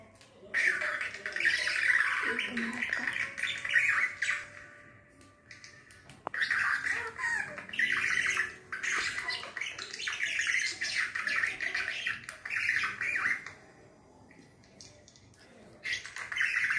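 A budgerigar chatters in fast, scratchy bursts of warbling and squawky notes.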